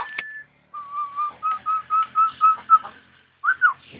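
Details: Starling singing on its perch and imitating an ambulance siren; a run of about eight even, clear whistled notes on one pitch, followed by a pair of higher, bending whistles.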